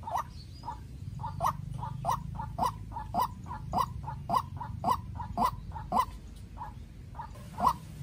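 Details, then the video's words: White-breasted waterhen calls from a young farm-bred decoy bird answering a wild rival: rapid series of harsh mid-pitched notes, interleaved loud and soft, roughly two per second, fading near the end, with low background rumble. "Quốc Mồi Tơ Ra Trận Gặp Bổi Rừng Đấu Cực Căng"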